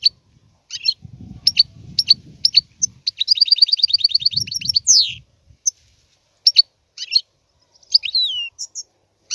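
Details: A European goldfinch sings in bursts: separated sharp chips lead into a dense, rapid trill of tinkling notes and a descending buzzy slur, then more spaced chips and a thin rising whistle. Low rumble underneath in places.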